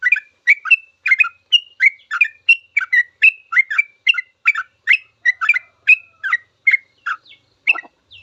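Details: Long full song of a sooty-headed bulbul kept as a tutor for young cage birds, a steady run of quick, bright chirping notes at a brisk even pace, ending with a lower rasping note.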